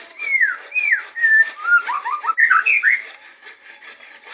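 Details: White-rumped shama, Indonesia, singing loud whistled downslurs and a steady whistle leading into tumbling rapid chirpy notes over a faint background hiss.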